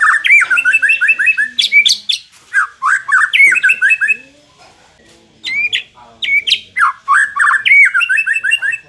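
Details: White-rumped shama song for making an unaggressive bird more competitive: rapid rising whistles and piercing upslurs in fast runs, a short quiet gap midway, then renewed strings of repeated notes.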